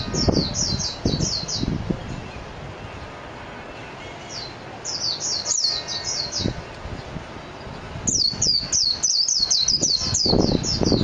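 A Japanese white-eye sings fast bursts of thin, very high twittering notes, pausing between phrases, over a low background rumble and occasional soft thumps.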